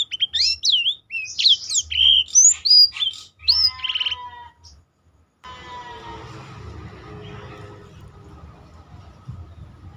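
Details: Black-throated canary song played to train other birds: quick twisting high whistles and trills for about four seconds, then silence followed by a faint, hissy background.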